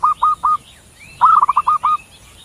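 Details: Perkutut, or zebra dove from Java, calling three separate mellow coos, then a pause and a fast burst of about six rolling pulses. Faint higher bird chirps sit in the background.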